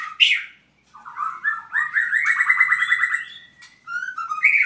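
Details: Albino white-rumped shama from Purwokerto: a sharp opening note, brief silence, then ascending slurred whistles into a rapid rattling trill, closing with clear whistles.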